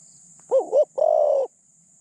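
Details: Decoy spotted dove with a medium-pitched voice and a light cooing style, used to catch other doves; one low phrase: a wavering, doubled hoot followed by a longer, even, level coo.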